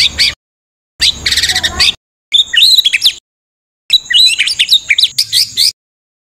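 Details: White-rumped shama training song with full fill-ins and harsh 'tembakan kasar' bursts: four short clipped bursts of high, dense chirps and whistled notes separated by silent gaps.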